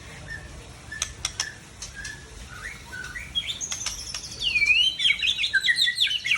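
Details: White-rumped shama of the Aceh type, seven years old, from Tangse: soft scattered chirps and short notes open, then a loud run of rapid, high, varied whistles and sweeping slurred phrases builds toward the end.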